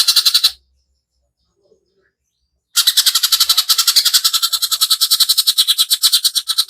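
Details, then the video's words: Greater green leafbird song used as a lure to rouse other birds, delivered as a rapid, harsh burst of buzzy high notes, a short burst, a silent gap, then a long fast-repeated run of coarse chattering phrases. "Cucak Ijo Gacor Tembakan Kasar"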